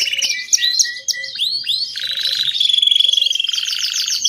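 A Belgian canary sings a fast, varied run of high chirps, rising whistles and buzzy trills, with a faint low chip from another bird beneath.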